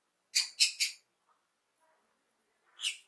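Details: A happy lovebird gives three rapid, sharp, shrill chirps in quick succession, then a short silence and one more raspy chirp.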